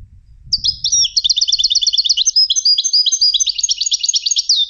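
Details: European goldfinch trained for song competitions, singing a fast, high twittering phrase of rapid repeated buzzy and tinkling notes that runs about four seconds without a pause; faint low rumble near the start.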